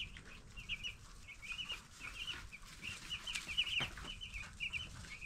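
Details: Ten-day-old broiler chicks peeping in a group, short high chirps in loose runs, a few louder notes standing out above a steady low hum and soft knocks.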